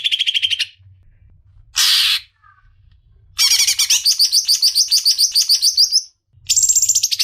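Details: Leafbird (cicak ijo) in full song: short bursts of rapid repeated high notes broken by pauses, including a long run of quick chattering phrases and a brief harsh burst.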